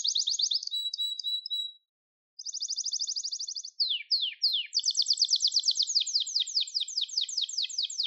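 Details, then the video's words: Singing Gloster canary, song for training and stimulating birds: quick trills, a half-second silence, a flat even trill, three sliding down-slurred notes, then a long loud rapid roll. "Gloster Kanarya Sesi Ve Ötüşü"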